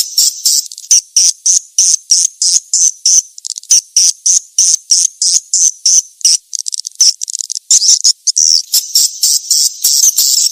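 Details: Edible-nest swiftlet lure call for attracting swiftlets: a long, steady train of very high, buzzy chirps, roughly three each second, with a short faster twittering passage near the end.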